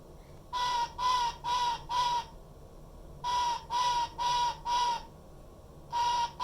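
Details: A female Black-headed Caique, about 4 years old and known for daily screaming, gives harsh, screeching calls in runs of four, each note about a third of a second, with brief pauses between groups.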